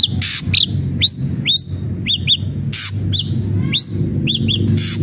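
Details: An ashy drongo's song meant to encourage a caged bird to sing. Upward-sweeping whistles alternate with brief arched notes, separated by loud crackling bursts, over persistent low-pitched noise.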